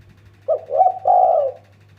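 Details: Spotted dove cooing, used as a lure to make other birds call: a soft low coo followed by a longer, louder hoarse coo, with a steady low hum underneath.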